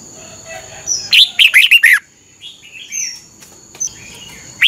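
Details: One fast phrase of five liquid, tumbling notes from a Red-whiskered bulbul in the doubled style for training caged birds. Softer scattered chirps and slurred whistles follow, over a thin steady high whine.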